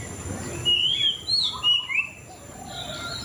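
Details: A few loud, pure whistles from a white-rumped shama, long and gently wavering, followed by softer notes against steady hiss.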